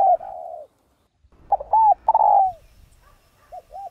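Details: Spotted dove cooing, a recording used to stimulate other doves. A mellow, hooting coo opens the clip. Later comes a phrase of two short, bent notes and a long, falling, drawn-out note. Two soft, short coos close it.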